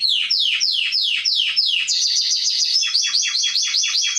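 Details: Canary song for training young birds: about five loud sweeping downward notes, then a quicker stuttering series of repeated bright chirps.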